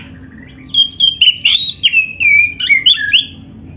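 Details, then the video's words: Energetic kacer (Oriental magpie-robin) song for provoking a reluctant caged bird: a brief pause, then bright slurred whistles, rising and falling sweeps and scratchy notes packed tightly together. "TERAPI KACER GACOR DONGKRAK BIRAHI DAN EMOSI BUAT KACER MALAS BUNYI"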